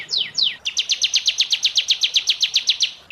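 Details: Singing canary in moult: two descending whistled slurs followed by an even, rapid series of about sixteen repeated sharp notes, roughly six per second.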